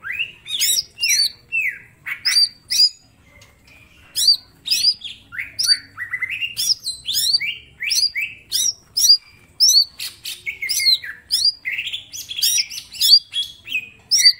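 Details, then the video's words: Green leafbird, a small bird in loud sustained song meant for training other birds: dense stream of sharp rising whistles, harsh buzzy bursts and varied mimicked phrases, almost continuous with few short gaps. "Cucak ijo mini gacor full tembakan bongkar materi"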